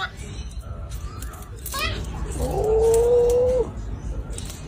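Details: One of two cockatoos squabbling while sharing a cracker gives a harsh rasp, then a drawn-out, speech-like wail held about a second, rising slightly before cutting off sharply.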